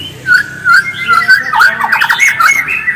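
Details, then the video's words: White-rumped shama song used as bait to encourage other shamas to sing, with loud drawn-out whistles followed by a quick cluster of bright chirping notes. "PANCINGAN MURAI AGAR GACOR DENGAN SUARA ASLI"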